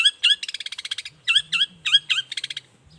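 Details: Long-tailed shrike singing in the morning to provoke answering shrikes: paired down-slurred whistled chirps alternating with fast buzzy trills, repeated in cycles over a faint low hum.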